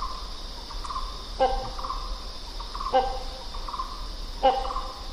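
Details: A great hornbill gives three loud, hoarse barking calls, one every second and a half, over a steady high insect drone.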